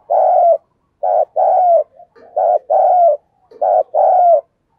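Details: Decoy spotted dove cooing and calling to lure wild doves; loud, mellow low coos in short phrases, a brief note followed by a longer falling coo, repeated three times in under five seconds, clean background.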